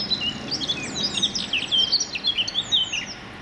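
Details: A male Eurasian Blackcap in London sings his territorial song from a Weeping Willow amid a chorus of other birds: a rapid, rich warble of high fluting notes and quick slurred phrases, tumbling along without pause over faint background hiss.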